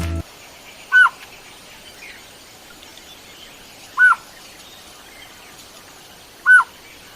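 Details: Blue-faced Malkoha (small green-billed malkoha), a non-parasitic cuckoo of scrub and deciduous forest, in Sri Lanka near Uda Walawe, gives three short, slurred notes, each rising then falling in mid pitch, two to three seconds apart, over a quiet, faintly hissing background.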